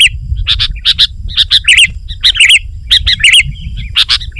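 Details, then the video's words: Sooty-headed bulbul lure song: cheerful bubbling whistles, often doubled, come in rapid clusters with sharper chirps between them, full of energy. "Suara Burung KUTILANG GACOR Rapat Menekan Lawan Ampuh Untuk Memikat BURUNG KUTILANG Liar"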